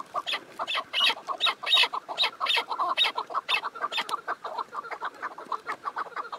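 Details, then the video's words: Chukar partridge calling in a rapid, uneven series of clucking chuck notes, about seventy-eight per minute, with each burst bright and layered and some notes running together. "Keklik Sesi"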